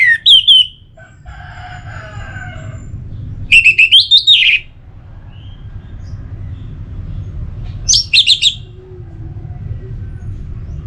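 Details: Song of an orange-headed thrush meant to prompt other birds to sing: short sharp whistled phrases separated by pauses of several seconds, each a burst of quick rising and falling notes, over a constant low hum.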